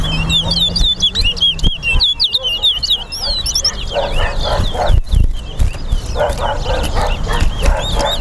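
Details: Competing caged towa towa at the Lamaha and Vlissengen Road bird ground, Guyana, in a singing race: dense bursts of high whistled, twisting notes, strongest in the opening seconds, with background voices, a low hum and people counting.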